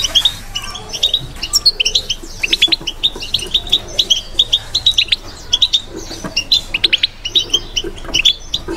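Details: European goldfinch kept in a cage, delivering batbata-style song, a steady run of sharp, high, liquid twitters and short buzzy notes repeated without break for nearly nine seconds.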